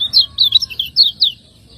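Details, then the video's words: Caged lemon-bellied white-eye from Lombok, kept as a contest bird, singing a master song for training: quick bright chirps and warbled twitters in short bursts, then a faint high trailing note. "Masteran burung kecial kuning"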